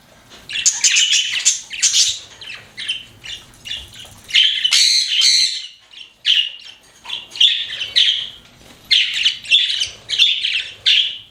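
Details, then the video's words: Pet budgies chirping, a steady chatter of many short twittering and warbling notes, overlapping and nearly continuous, with occasional brief scratchy squawks. "CUTE PET BUDGIES CHIRPING"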